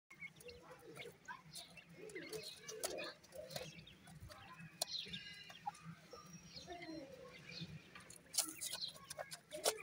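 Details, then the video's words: Francolin (teetar) chicks feeding at night, giving many short soft peeps and chirps that overlap irregularly, with scattered sharp clicks and scratching noises and a low steady hum underneath. "pheasant chicks are also called feed at night,lovely chicks teetar"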